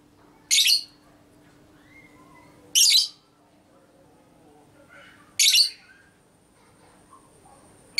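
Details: Ngekek from a female lovebird, konslet minor style, recorded to provoke other lovebirds: three grating shrieks spread over eight seconds, with faint softer chirps and a low hum in the gaps.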